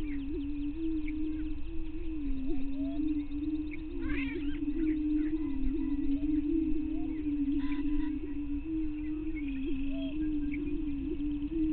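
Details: At a greater prairie chicken lek near Glyndon, Minnesota, early morning on 9 May 2023, an unbroken low droning moan fills the background. A burst of harsher, higher cackling comes around four seconds in, and scattered short notes follow.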